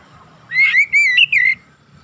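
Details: Single gacor phrase from an Oriental magpie-robin (kacer) used to rouse other magpie-robins: three linked, clear whistled notes, the middle one slightly higher, lasting about a second.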